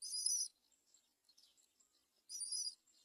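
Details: Great myna chick close to falling from the nest, mother not helping; two harsh, hissy high bursts about two seconds apart, with faint scratchy chatter between them.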